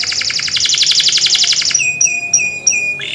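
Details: Canary singing energetically in the Indonesian rolling, sharp-shooting song style, recorded as a lure to prompt other canaries. A fast buzzy rolled trill lasts nearly two seconds, then gives way to four clear, high, sharply rising whistled notes about every third of a second.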